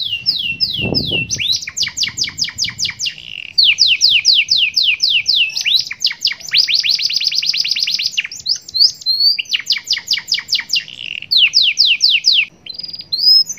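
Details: Kept canary delivering a long 'cengkok super mewah' song with glatik batu fill-in phrases: rapid bursts of repeated down-slurred notes alternating with buzzy fast trills and brief pauses, loud and continuous, with a short low thump near the start.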